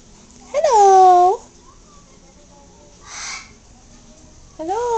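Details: Newly adopted yellow-naped amazon talking a little to its owner indoors: two loud, rich harmonic word-like calls that rise, then slide down and level off, with a soft hissy burst between them.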